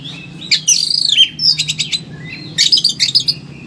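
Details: Highly agitated Oriental magpie-robin delivering a dense, varied song, used to coax quiet birds into singing: a bright downward-sweeping whistle, short pulsed trills, a pause, then a fast burst of sharp repeated notes, with a steady low hum throughout.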